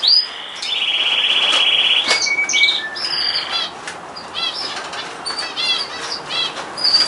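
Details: Canary in song, opening with a long steady trill of rapid repeated notes, then breaking into varied short chirps and twittering phrases against a soft background hiss.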